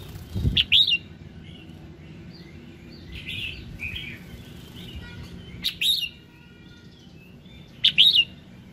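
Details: Red-whiskered bulbul morning song used to prompt other birds to sing: short bright warbled phrases around mid-high pitch, two loud bursts near the start and others at about six and eight seconds, with softer chatter between.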